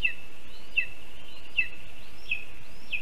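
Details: Lesser spotted eagle at a spruce-tree nest in Zemgale, Latvia, at 12:24 p.m. on 5 July 2022, as the male brings a large water vole; short sharp yelping notes repeat roughly every three-quarters of a second over a steady high background whine.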